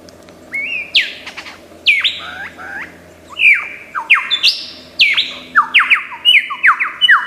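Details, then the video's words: A lyrebird pours out loud, bright whistles and sharp downward-sweeping notes in quick, varied bursts of mimicked phrases, with a faint low hum beneath. "Tembakan Lyrebird gacor 1001 macam suara"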